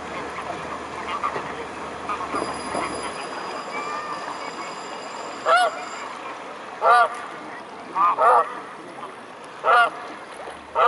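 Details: A swarm of mute swans at the Blaues Wunder on an evening in May 2016: after a quiet noisy start, short nasal honks come singly and in pairs over the last half, irregularly spaced.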